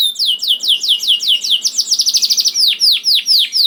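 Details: Energetic canary song played as a lure to get reluctant canaries singing: high whistled notes sweeping down, repeated about every quarter second, speeding into a fast buzzy trill, then slower, deeper downward-swooping notes.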